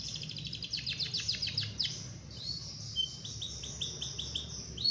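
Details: Canary in full song, a long rolling song meant to prompt other canaries into singing: a run of quick high downslurred notes, a short pause, then a faster high trill of repeated notes, with low background rumble.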